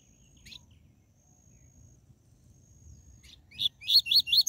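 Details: Seedeater song in the 'tui tui zel zel' style, used to fire up caged birds: one brief high note, near-silence for about three seconds, then a rapid run of loud, evenly spaced, slurred whistles.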